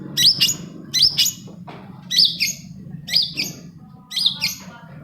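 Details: Long-tailed shrike song used to coax silent shrikes into singing: a harsh scratchy phrase repeated about once a second, each burst a grating chirp with a whistled twist, over a low background hum.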